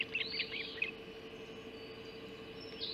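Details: Ospreys at a nest on Hog Island around 04:50 on 30 June 2016, at a breakfast delivery of mackerel; a few high, arched whistled notes and short chirps at the start, then quieter calls, over a steady low hum.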